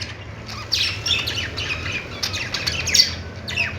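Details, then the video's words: Short budgerigar chatter of buzzy, descending chirps, rising to a louder squawk near the end. "Budgies singing |budgies sounds"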